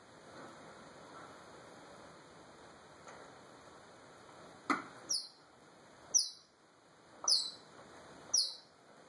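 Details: Indoor African grey parrot performing sound imitations while alone, captured by a phone: a series of five very high, thin, downward-sliding chirps, spaced roughly one second apart, over a low room hiss.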